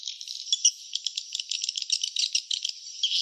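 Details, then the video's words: High, thin twittering of swiftlets at their nest, with crisp individual clicks popping out over a steady, hissing background chatter. "suara sarang burung walet ( swiftlet sound )"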